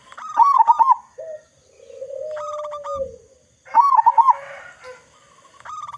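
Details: Local zebra dove lure: two loud quavering coo bursts, each followed by a long, smooth, lower sliding note, with faint extra calls and a rustle between them.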